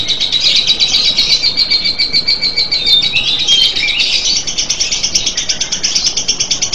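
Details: Lovebird in long ngekek song: a shrill, rapidly pulsed rattling trill held without pause, with a few thin whistled slides mixed in midway.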